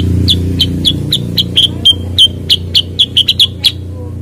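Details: Cucak kurincang, a bulbul also called kutilingang sutra or kuniran, singing rapid, short, sharp chipping notes, about four per second, with a steady low hum underneath.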